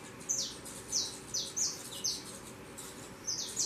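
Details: Saffron finch fledglings leaving the nest and flying: high, thin downslurred chirps repeated about every half second, with short gaps between them and a steady low background hum.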